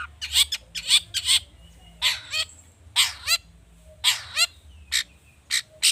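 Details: Long-tailed shrike singing to spur other birds into song: bursts of grating, scratchy notes mixed with short down-slurred chips, delivered in uneven clusters of two or three.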